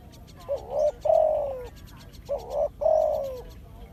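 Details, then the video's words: Spotted dove calling loudly: two phrases of a short rising coo followed by a longer, falling drawn coo, with faint bird chirps and ticking behind. "The Sound of Spotted dove"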